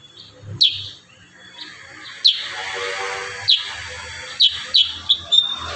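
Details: Kurincang giving a 'tembakan rapat' tutor song: scattered sharp, high, downslurred whip-like notes, a few close pairs, over a hissing, noisy background.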